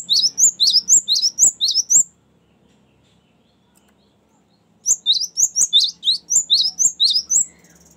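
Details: Cinereous tit giving a long rolling song of the kind used to lure and train birds: fast high chirped phrases, about two a second, in a two-second burst, a pause of near silence, then another run of about ten.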